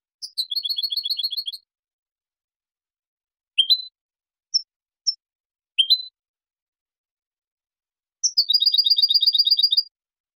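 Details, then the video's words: European goldfinch clean song for training juveniles and competition sings high, rapid twittering trills with sharp upward-sweeping notes and brief chips between bursts. "CANTO LIMPIO PARA EDUCAR Y CONCURSAR شريط لغة حسون إسباني"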